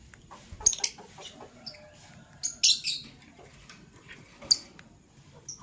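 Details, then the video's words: Male lovebird choosing a partner, giving sharp, very high chirps in short scattered bursts, some doubled, separated by quiet gaps over a faint low background hum. "LoveBird Chirping Sounds - Male LoveBird Choose a Partner"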